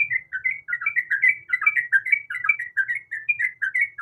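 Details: Female sooty-headed bulbul in breeding condition calling to a male: a steady run of short, bubbly whistled notes that dip and rise, about three per second, continuing without pause across the whole stretch.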